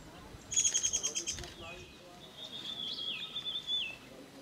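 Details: Slaty-headed parakeet in Pangot, India, in November: a burst of rapid high repeated notes followed by drawn-out, slightly wavering whistled calls with rising and falling bends, over faint background noise.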